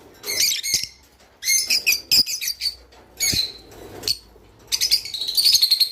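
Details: Java sparrow song, played to spur kept birds to mate: scattered high chirps and clicks in short bursts, ending in a fast, pulsing, high trill.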